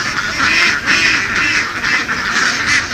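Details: Field-herded laying ducks from the Vietnamese west; short stretch of loud, overlapping rough quacks from a large flock, pulsing in uneven waves roughly every half second.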